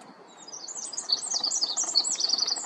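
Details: Pacific wren in San Francisco, California, pours out a long, rapid, high-pitched song of tinkling trills and buzzy notes that grows louder without a pause.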